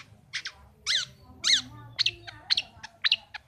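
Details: Pet long-tailed shrike in a cage, giving varied harsh, scratchy notes: hoarse buzzy calls with falling strokes mixed with quick clipped chips.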